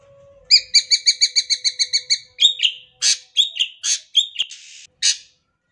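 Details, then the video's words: Sumatran leafbird, yellow-headed green leafbird from Sumatra, singing energetically in sharp bursts: a rapid run of about a dozen identical clipped notes, then a string of varied chirps, slurred whistles and one harsh buzzy note. "Suara Cucak Hijau Kepala Kuning Em0si"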